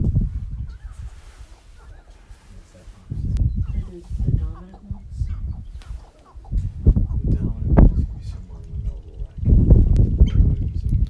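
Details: Male sharp-tailed grouse on a lek, competing to be the dominant male that controls the middle. Bursts of clucking and wavering nasal calls come in short runs, masked by heavy low wind rumble throughout.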